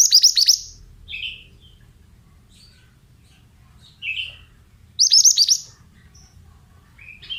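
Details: Oriental magpie-robin, a mountain-type male, repeating a fast high falling-note burst about every five seconds, each followed by a lower buzzy chirp.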